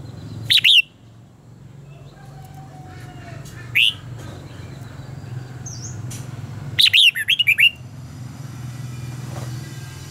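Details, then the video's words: Red-whiskered bulbul contest singing intended for training: scattered short bright whistled phrases, a lone upslurred note near four seconds and a quick run of notes around seven seconds, over a steady low hum. "luyện giọng cho chào mào hót hay - căng lửa, chào mào hót quá phê"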